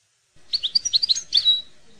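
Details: European goldfinch song for tutoring young goldfinches, in the style called maknin: a quick run of about nine bright twittering notes, then a buzzy trill ending in a drawn-out note.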